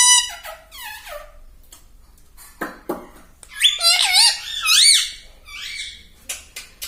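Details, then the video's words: Pet parrot talking "mummy" and "papa": a run of descending squeaky notes opens, a pause with small clicks follows, then a loud burst of arched, buzzy, speech-like syllables and softer trailing chatter. "talking mummy || papa bolta Mithu"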